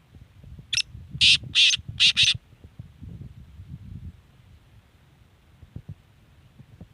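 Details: Black francolin in Sindh, Pakistan: a short burst of four loud, grating, broadband notes, one lead note then three close together within about a second and a half, followed by quiet low rumbling background.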